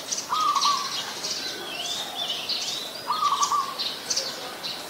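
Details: Short rolling coo trills from an adult zebra dove, Ubon Ratchathani, Thailand, 24 February 2022, two bursts about three seconds apart amid busy chirping and slurred whistles of other birds.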